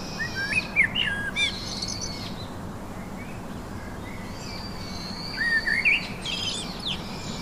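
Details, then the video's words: Black thrush (sabiázinha preto) singing outdoors in nature; two short bursts of warbled, looping whistled phrases, one near the start and one around the sixth second, separated by a pause over a steady low background hiss. "Sabiázinha (preto) cantando e encantando"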